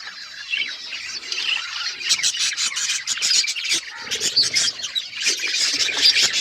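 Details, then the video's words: Chattering pet budgerigars: soft high twitters at first, then louder rapid chirps and squeaky warbles building into a busy overlapping flock chatter. "Budgies chirping sounds and budgies talking"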